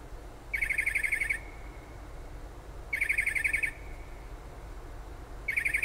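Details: Unidentified bird calling outside a kitchen window in Toms River, south-central New Jersey, about five miles from the shore, late at night and early morning. A rapid, buzzy trill lasting under a second repeats every two to three seconds over steady background hum.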